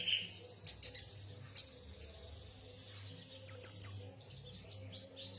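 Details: Yuhina giving short, high, clipped chirps in small groups, a few together early, then a quick triple burst partway through, with a soft low hum in the background.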